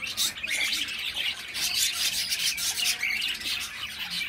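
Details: Raspy, insistent chirping from a baby cockatiel, a dense stream of scratchy squawking notes with little pause throughout.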